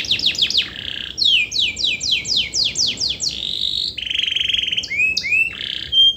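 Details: Long-singing canary song meant to stir reluctant canaries to join in: quick high downward-sweeping notes in series, a steady buzzy trill, then rising whistled slurs and short bright chips.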